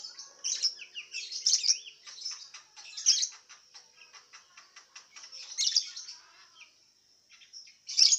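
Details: Caged lovebird competing in an Indonesian online singing contest, from Singkawang, West Kalimantan. Its long chattering sequence mixes loud scratchy chirp bursts with runs of quick ticking notes. A near-constant high whine sits underneath, and a sharp squeak ends the clip.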